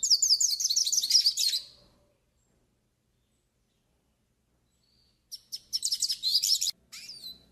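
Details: Yellow-faced siskin tutoring and warm-up song: a quick series of repeated high wavering notes for about one and a half seconds, a long silence, then a similar twittering burst and a final downslurred call.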